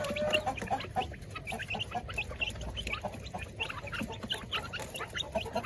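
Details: Coop full of village chickens and laying hens at feeding time; busy overlapping clucking and short cackles, with one drawn-out note at the start and a faint background hum.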